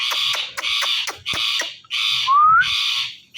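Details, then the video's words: Ringneck parrot pair, male and female, mating before a mirror: rapid harsh grating squawks repeated in quick bursts, broken by sharp clicks, with one short rising whistle between them. "Ringneck Parrots Making Mating Sounds In Front Of Mirror"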